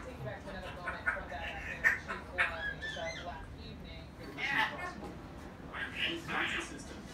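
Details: A female Timneh African grey parrot, playing though in a poor mood and possibly with a sore beak, chatters in irregular bursts of nasal, speech-like syllables and clucking notes over a steady low hiss.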